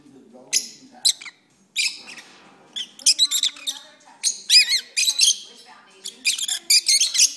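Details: Indoor pet lovebirds sing a run of scattered high squeaks and chirps that builds into faster squealing chatter toward the end, with a faint low murmur underneath.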